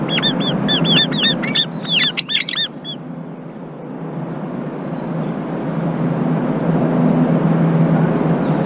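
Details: Brown-eared bulbul, one of a pair, keeping watch while its mate eats and bathes; rapid series of high, sharply arched harmonic notes over about three seconds, then steady low background rumble.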